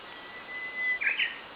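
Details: Japanese bush warbler singing in the morning during light rain: a long, steady whistle held nearly a second, then a quick, higher burbling flourish, over a constant hiss of rain.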